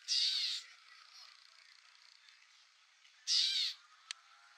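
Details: Gray Catbird (Dumetella carolinensis) in the field at Newman Lake, Washington, USA: two harsh, nasal, mewing calls, each about half a second long, spaced about three seconds apart, with a faint click near the end.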